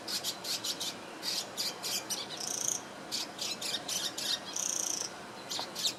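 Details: High-pitched scratchy chirps from a swiftlet-like bird while it preens, Singapore, 2017: a steady run of short buzzy bursts, grouped in twos and threes, broken by two drawn-out rasping notes with a faint whistle in them.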